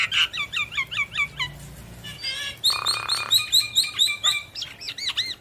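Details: Javan myna singing energetically while bobbing its head: rapid series of short upslurred chirps, then a buzzy harsh burst and further quick repeated whistled notes, with a few looping wavering whistles at the end.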